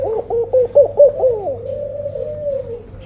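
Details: Tame laughing dove singing: a quick run of about five soft bubbling coos around a steady low pitch, then a long smooth note that slides gently downward and fades, with a faint low hum behind.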